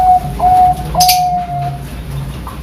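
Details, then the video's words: Zebra dove of the Bangkok type in Sidoarjo, East Java, giving 'pakem' style song: three steady, level whistled coos, the last longest, followed by a brief rustle and a soft upslurred note. "Perkutut Bangkok Suara Pakem"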